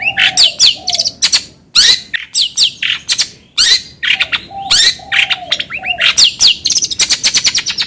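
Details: Long-tailed shrike song played as a lure to get another bird singing quickly: dense, varied phrases of sharp rising whistles and buzzy chatter, broken by short low mellow notes, all in quick bursts.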